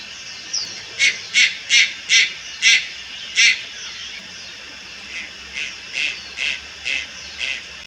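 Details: Juvenile Malayan night heron calling at Lugu on 30 July 2022: harsh, hissing notes repeated steadily about twice a second, five loud, a pause, then six softer ones.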